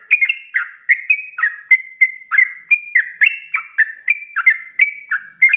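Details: Rapid 'ropelan' song of a sooty-headed bulbul, a recording for training kept songbirds: chattering, liquid whistles tumbling in close succession, some rising, some dropping, at roughly three notes per second.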